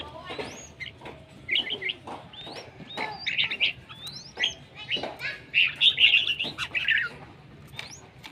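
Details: Red-whiskered bulbul, called beautiful and bold, delivering lively chattering song. Rapid runs of clear whistled notes, some sweeping upward, build into a denser bright burst near the end, with scattered clicks and a low background hum.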